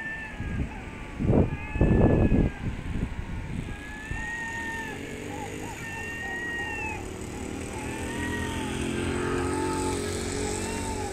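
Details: Hungry herring gulls feeding on trash in a city: after a few loud thumps and rustling at the start, drawn-out harmonic mewing calls repeat through the rest, over a steady low rumble of traffic.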